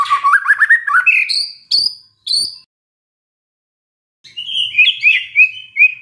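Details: White-rumped shama, reportedly stressed and triggered by a lure: rapid rising whistled trill, three sharp high notes, a pause, then a softer, buzzy warbling phrase.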